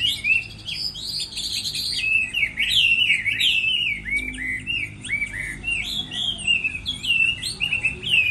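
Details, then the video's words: Chinese hwamei in moult season, singing in competition: a loud, varied, unbroken song of rich whistles, slurred phrases and quick trills. "Họa mi hót đấu mùa thay lông"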